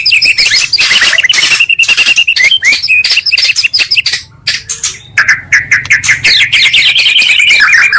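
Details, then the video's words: Magpie-robin song made from two birds to provoke rivals: harsh chattering and squawky notes mixed with whistles, a brief quieter gap, then a long rapid buzzy trill. "pancingan murai 2 kali lebih menaikkan emosi muarai"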